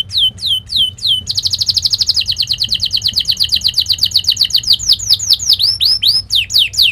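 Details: Canary lure song for training young canaries: a few curved whistles, then a long, rapid rolling trill that slows into loud swooping downslurred notes.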